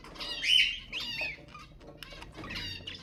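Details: Budgerigar sounds meant to stimulate other budgies: a few short harmonic squawks and chirps, with a louder rising squawk near the start, followed by scattered quieter chatter and clicks.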